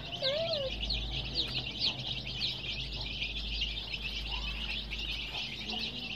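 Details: Colour-dyed chicks chirping as a flock: a constant wash of thin, high peeps, with a few clearer lower whistled notes early on and a low steady hum.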